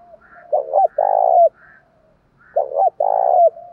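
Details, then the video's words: Two loud spotted dove phrases, each a short coo followed by a drawn-out throaty one, with faint higher notes around them. The calls of a male and a female are meant to prompt captive doves to call. "tiếng chim cu gáy kích bổi hiệu quả hàng ngày"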